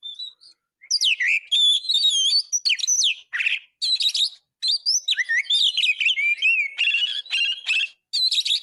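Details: Oriental magpie-robin in full song, kept as a tutor for caged birds, pours out a long run of high whistles, swooping slurs and rasping notes with barely a pause.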